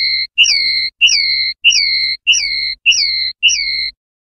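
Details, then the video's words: Linnet in clean 'pardillo limpio' silvestrismo song: six slurred whistles, each rising briefly then held and dropping, spaced about half a second apart over a faint low electrical hum. "PARDILLO LIMPIO"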